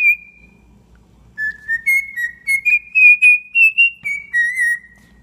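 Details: Domesticated cockatiel whistling a tune: a rising ladder of clear, sustained whistled notes that peaks and then dips, with a quiet room hum underneath.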